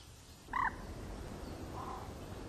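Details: A nesting Great crested grebe gives one short, nasal, croaking note, then a fainter answering note about a second later, over a low steady rumble.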